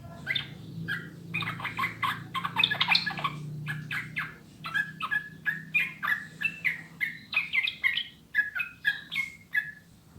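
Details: Sooty-headed bulbul song used as a master recording to prompt caged birds to sing: a rapid run of bubbly, liquid whistled notes in quick succession, then spaced chirpy phrases with a faint low hum underneath.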